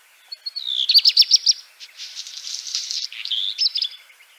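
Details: A black redstart (Phoenicurus ochruros) sings a short burst of high, rapid trilled notes, then a scratchy, crackling passage and a thin whistled ending, all high-pitched.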